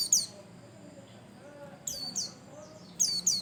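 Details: White-eye song used as a prompt for other birds, described as energetic: short, shrill, downward-sweeping chirps, given singly and in pairs at irregular intervals, with soft background hiss.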